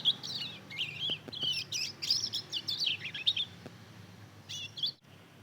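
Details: Mozambique canary × canary hybrid chick, aged two months, learning its song by twittering: fast, scratchy high chatter and rising chirps for about three and a half seconds, a pause, then one brief closing burst.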